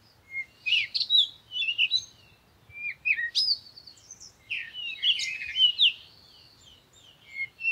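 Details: A parakeet calls in quick squeaky chirps and whistled slurs, some notes sweeping sharply upward, delivered in uneven bursts throughout with short gaps.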